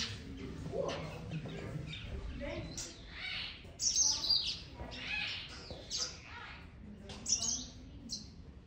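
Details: Taveta golden weavers at Zoo Berlin chatter in busy, high, buzzy bursts and sizzling notes, with a murmur of human voices underneath.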